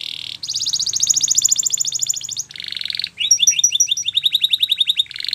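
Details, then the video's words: Canary singing a training song: a long fast rattling trill gliding in pitch, then a dense buzzy roll, then a run of quick bright rising chips repeated several times a second. "Your Canary Will Sing Immediately"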